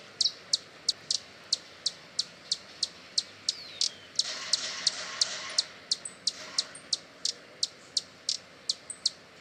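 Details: Repeated high, dry chips from a hummingbird at about three per second, briefly overlaid by a rustling, whooshing burst in the middle, then continuing steadily over light hiss.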